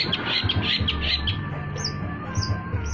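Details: Long-tailed shrike lure song used for trapping: a quick run of about seven harsh chattering notes, then thin high whistled notes spaced across the second half, over steady low hum.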